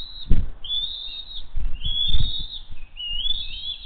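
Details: Hays bald eagles gathering for dinner, June 22, 2023: three drawn-out high whistled calls, each wavering and slightly falling, separated by pauses, with low thuds and rustling underneath.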